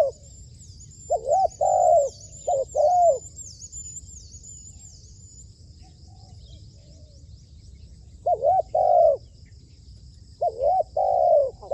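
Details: Spotted dove kept as a trained decoy for trapping in Cambodia, cooing in several spaced phrases of short hooked notes followed by a longer sustained coo, with a persistent high chirping trill in the background and quiet gaps between phrases.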